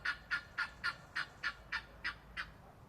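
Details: Guineafowl at 14 weeks old giving a rapid run of nine harsh, scratchy notes, about three or four per second, in an even rhythm that softens slightly toward the end; quiet background.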